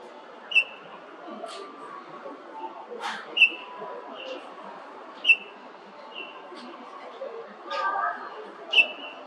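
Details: Golden-breasted starling: bright, brief whistles repeated every one to two seconds, some followed by softer trailing notes, interspersed with faint rasping sounds over a quiet, murmuring background.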